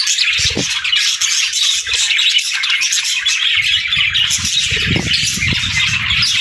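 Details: Pet budgerigars, several at once, chirp and warble in a thick continuous chatter of squeaky, grating notes, over soft low rumbling and light knocks.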